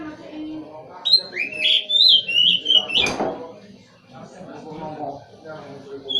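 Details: Caged white-rumped shama, a high-value songbird, gives a fluid string of clear, looping whistles lasting about two seconds, interrupted by a sharp broad click, then quieter background with a brief final note.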